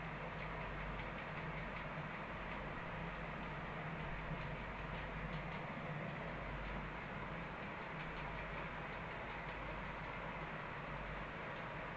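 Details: Steady low rumble and rattling of a moving train fill the whole stretch, with no animal voice heard.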